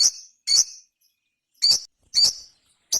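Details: Ruby-cheeked sunbird (sogon) giving separate short, high, sharp chirps, about five spaced notes with pauses between them.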